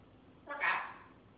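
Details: A military macaw, said to talk, gives one drawn-out harsh squawk lasting about half a second, rough and nasal, in a quiet room.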